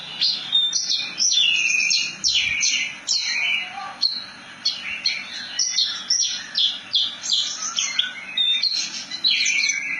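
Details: Javan bush lark (branjangan) singing a long rolling song, a dense run of quick chirps, trills and slurred whistles between 2k and 7k, varied and continuous with brief pauses.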